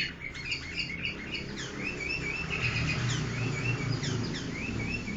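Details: Pet sooty-headed bulbuls, tame after four months in captivity and noisy all day, give quick, bubbly chirps and short slurred whistles, about four notes a second, over a steady low background hum.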